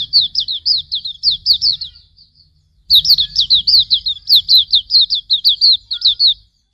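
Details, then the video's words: White-eye masteran song: two bursts of swift, high, downslurred chirps, the second longer and denser, separated by a short quiet gap, with a low background hum. "Masteran Suara Burung Pleci Auriventer"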